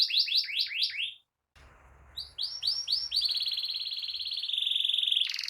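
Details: Canary song used to coax canaries that have stopped singing: quick falling whistled notes, a short pause, then more sweeping notes running into a long steady high trill.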